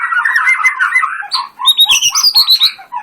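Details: Captive white-rumped shama in full song, a fast burbling run of mid-pitched warbled notes giving way to higher, sharper whistled and chattering phrases.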